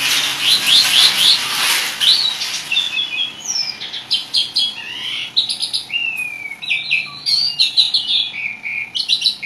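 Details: Chattering Asian pied starling song rich in varied phrases, opening with a fast burst of high notes, then mixed whistles, rising slurs and buzzy rattles delivered in quick succession.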